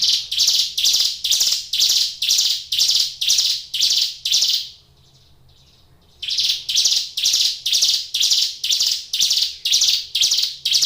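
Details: Caged Hill Prinia (ciblek gunung) in full, vigorous song: loud, harsh buzzy notes repeated about twice per second in a steady series, a pause of roughly a second and a half, then the same rapid repetition resumes.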